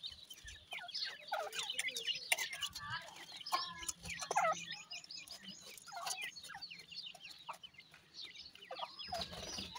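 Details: Dakhni teetar francolin chicks at feeding time, bred in captivity: rapid, scattered high peeps and chirps, some wavering, some clipped, calling over each other almost without pause, amid low background noise.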